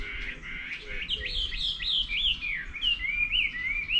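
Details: Bird singing in the morning on 11 May 2024: a quick run of bright, high warbled notes sliding up and down in short overlapping phrases, with a faint low hum beneath.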